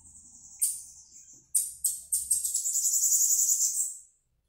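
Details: A bananaquit coming out of moult sings: very high, thin notes and sharp accents lead into a long, rapid buzzy trill lasting about two seconds before stopping abruptly, with faint low background rumble.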